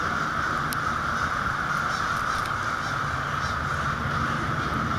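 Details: Crows in a very large autumn flock in lower Michigan, 2009, close to an apartment. Dense cawing from countless birds merges into one unbroken harsh chorus over a low rumbling background.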